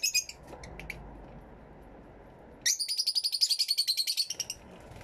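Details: Fischer's lovebirds in an aviary, recorded with a camera and two external microphones: a few high chirps, a pause, then a fast run of about twenty shrill, buzzy notes lasting over a second and a half, followed by quieter chirps.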